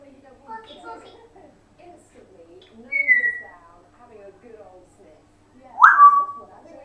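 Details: Pet African grey parrot alone indoors while its owners are out of the room, producing soft speech-like mumbling with two sharp whistles, one falling and one rising then level.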